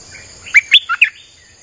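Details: Single song phrase of a streak-eared bulbul, played as a lure for wild birds: a quick run of four liquid chirps, rising then dropping on the third note, against a faint high whine.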